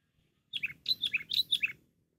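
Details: Lure recording of a cengkram sooty-headed bulbul, noted for its loud, constant singing: a bright burst of six to seven bubbling whistled notes, paired high then lower, quick and cheerful, with a faint low murmur beneath.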